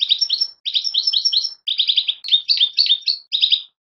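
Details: Fledgling European goldfinches giving a near-continuous run of high, tinkling twittered notes in quick groups of three to five, with barely a pause between bursts.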